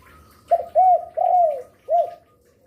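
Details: Spotted dove, a busy singer used as a lure for other doves: a clipped opening note, a bowed coo, a long slurred falling coo and a final rounded coo, over a faint steady tone.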